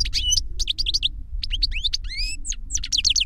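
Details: Caged master European goldfinch, whose reclamo song was taught to a young bird through a CD, singing a dense, fast twitter of sharp high chirps and rising whistled slurs, nearly continuous, over a low background rumble.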